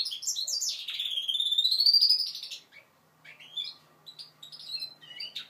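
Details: Five-month-old goldfinch mule learning to sing: a long bright warble sliding slowly upward, then a pause and scattered short high chirps.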